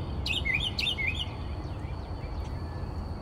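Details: Night song of a northern mockingbird in Texas, heard at 4 am from a bedroom window: one quick warbled phrase with a falling twist, repeated twice in a row, then fading to a faint hum and a distant high whine.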